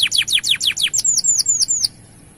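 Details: Canary in energetic gacor song, used to get male canaries in breeding mood and singing: about eight quick falling whistled notes, then a short run of thin, higher slurred notes before stopping.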